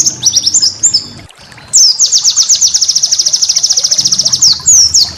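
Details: White-eye master song used to train cage birds: jumbled high twittering, a brief gap, then a long rapid burst of about thirty evenly spaced, very high chirps ending in sliding whistles.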